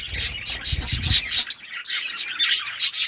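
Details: Lovebirds, several mutations, chirping and singing: dense shrill high chirps and squeaky notes in rapid bursts, with a low rumble early on.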